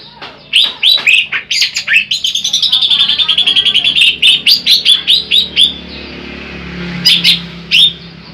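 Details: Large greater green leafbird giving a master song meant for luring birds: rapid repeated chattering notes in a fast even series, then scattered sharp whistled notes, with faint voices in the background.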